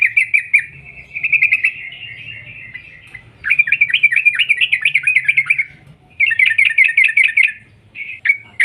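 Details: Long 'ropel' song of a lively Sooty-headed bulbul, used as a lure: buzzy drawn-out trill followed by fast rolling runs of sharp repeated notes, nearly continuous for almost nine seconds.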